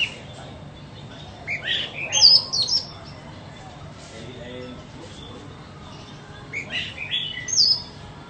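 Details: White-rumped shama offered for sale, giving two short bursts of high, squeaky whistled and chattering phrases a few seconds apart over a steady low background hum.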